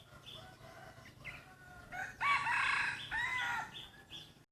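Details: A free-range neighbour's chicken crows: faint quiet notes at first, then a loud, drawn-out harmonic crow in two main bursts with wavering pitch, ending in a brief high note.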